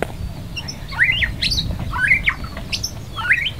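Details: A white-rumped shama (Copsychus malabaricus) sings loud, varied whistled phrases that slide up and down and repeat about every second, over a low background rumble.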